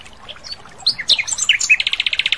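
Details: Asian brown flycatcher in the wild: a jumble of high, sharp twittering notes that breaks into a long, even series of about fourteen rapid repeated chips near the end.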